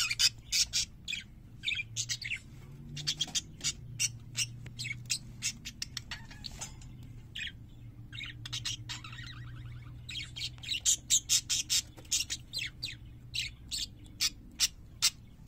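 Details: Several parakeets chattering nonstop with sharp clicking chirps and short squawks packed closely together, irregular in rhythm, over a steady low hum.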